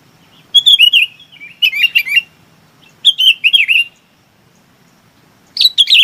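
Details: Sooty-headed bulbul calling to gather the flock: rich, bubbling phrases of three or four slurred notes, repeated roughly every second or two, with a softer low murmur in the background.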